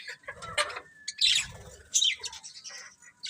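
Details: Budgies, several colourful pet birds, chirping in short bright bursts with scratchy high notes and a brief whistled tone, irregular chatter with quiet gaps between calls.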